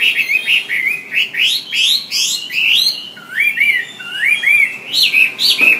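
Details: Wambi song meant as a model for training songbirds: lively twisting whistles, rising and falling phrases, and looping S-shaped notes repeated in a steady flowing series.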